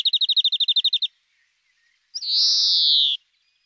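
A European greenfinch gives a fast trill of about a dozen ringing notes, then a pause and a long, nasal wheeze that slides slightly downward.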